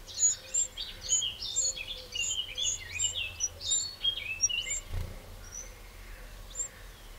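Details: Eurasian wren in a garden in the Châtillonnais, Burgundy, France, on 2 June 2023: high, sharp notes repeated rapidly for about four seconds, with lower sliding chirps mixed in, then a few scattered notes before fading.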